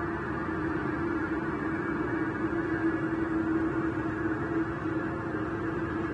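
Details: A steady low electrical hum with a faint background rumble runs throughout, and no animal calls can be heard.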